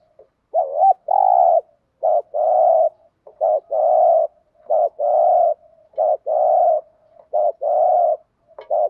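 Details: Spotted dove decoy bird in a fast 'gù thúc' urging sequence for stimulating newly caught doves: six or seven phrases in quick succession, each a short rolling note followed by a long, steady, buzzy coo, almost without pause.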